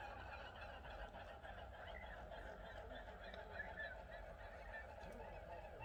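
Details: Swans flying over a nearby lake in autumn, seen from a window, give soft honking calls as they pass overhead, half buried in a steady low rumble of wind and background noise.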